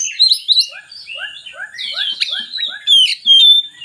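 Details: Oriental magpie-robin singing, intended to lure reluctant birds: quick, even down-slurred notes repeated about three per second under higher twitters, capped by loud whistled phrases.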